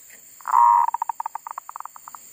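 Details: Zebra dove used as a decoy bird, singing in a garden after being disturbed by wild monkeys: one long cooing note, then a run of short, clipped coos around twenty times, unevenly spaced, over a steady high whine.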